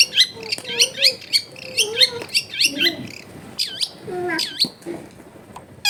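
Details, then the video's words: Long-tailed shrike singing at home in a busy residential neighbourhood: quick high chirps and looping whistled notes, some dropping and rising, mixed with lower buzzy notes, delivered in an uneven series. "CENDET GACOR SOLUSI PANCINGAN BUAT CENDET MALAS BUNYI"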